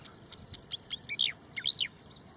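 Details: Striated Grassbird, a very common resident in fields of Tarlac, Philippines, sings: a few quick high ticks, then loud, clear rising-and-falling whistled notes ending in an arched slurred whistle.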